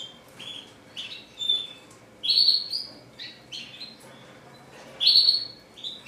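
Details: Sparse red siskin singing: separate high, slurred whistled notes and short chirps, a few loud upward-bending whistles standing out, spaced by pauses of about a second over a faint background hiss.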